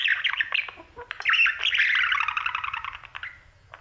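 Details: Pet male budgerigar singing to his mirror indoors: a dense, chattering warble of squeaky notes and rapid clicks, building into a continuous busy stream midway before trailing off into scattered chirps.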